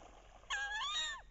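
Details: Wood duck hen on a bayou in the last weeks of October, vocalizing loudly during the mating ritual while chasing and posturing to entice drakes; one loud, drawn-out rising squeal with rich overtones, ending in a downward slur.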